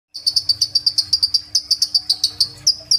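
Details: Kolibri ninja sunbird in full vigorous song, phone-recorded as a lure to prompt other birds to sing: a quick, even series of sharp, high chirped notes, about six per second, each with bright upper overtones.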